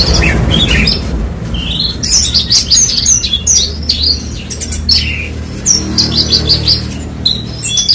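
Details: Branjangan (Horsfield's bushlark) song: quick high chirps, short slurred whistles and buzzy trills, in bursts with brief gaps, over a steady low rumble.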